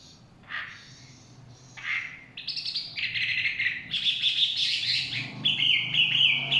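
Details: Chinese hwamei singing in forest: varied loud phrases, first scattered notes then sustained whistled and slurred strings around high pitch, growing louder toward the end.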